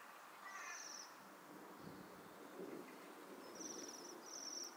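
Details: Several waxwings visiting a berry tree in December 2023 give high, ringing, buzzy trills: one early on, then two close together near the end. A lower chirp and faint background noise are also heard.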